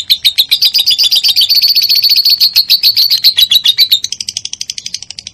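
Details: Lovebird song used to stimulate other lovebirds: loud, fast, shrill chirping trill for four seconds, then a quieter, higher, evenly spaced run of ticking chirps.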